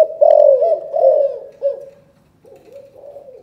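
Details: Calling coo of a spotted dove from Can Tho, Vietnam, in the 'chụp chụp ô' style. A loud, drawn-out falling coo comes first, then softer hooting notes that fade and return quietly.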